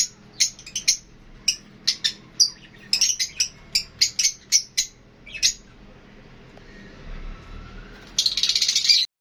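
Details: Lovebirds, a group featuring Fischer's lovebirds and budgies, give a run of sharp, evenly spaced high chirps, then a pause, then a final burst of rapid buzzy chatter.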